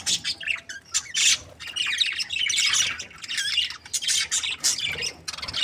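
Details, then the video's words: Happy budgerigar breeding pair trading lively chatter: bright, scratchy warbles and squeals in dense flurries, interspersed with quick clipped chirps. "Happy budgies chirping sounds"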